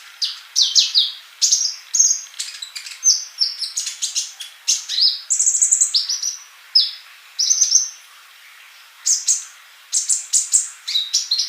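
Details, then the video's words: Male olive-backed sunbird singing actively, used to tutor young birds not yet singing: rapid high thin chirps and short whistled notes, some sweeping down, others held steady, in dense bursts with brief pauses around eight seconds. "Kolibri Ninja Jantan Gacor buat masteran yang masih bisu"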